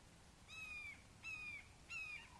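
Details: Red-shouldered hawks nesting in Wake Forest, 29 May 2023, during the father's frog delivery to a fledgling: three steady, gently falling screaming notes with layered overtones, about 0.7 seconds apart, in a quiet setting.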